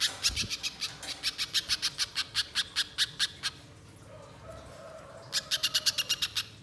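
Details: Banana spiderhunter lure: a quick run of harsh rasping chips, then a pause filled with a faint low whistle-like tone, before another fast burst of chattering notes resumes.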